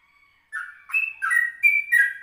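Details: Yellow-vented bulbul recorded at 04:30 in the morning as a lure: a short burst of five bright, slurred whistled notes, alternating higher and lower in pitch.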